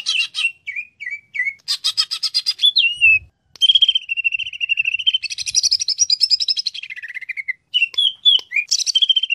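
A greater green leafbird sings a fast, varied medley of sweet whistles, sharp chirps and buzzy trills, high-pitched and nearly unbroken throughout.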